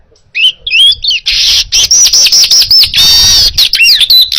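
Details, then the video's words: Baya weaver in full song, a clear recording used to teach other songbirds. A few twisting whistled notes lead into continuous loud, buzzy wheezing chatter broken by short pauses, with sharp rising and falling squeaks near the end. "Masteran Suara Burung Manyar Gacor Jernih"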